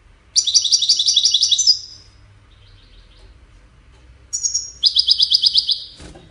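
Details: Goldfinch song, used for courtship and communication: two bursts of rapid, evenly repeated high twittering notes, each lasting about a second and a half, separated by a quiet gap. The second burst opens with a brief thin whistle.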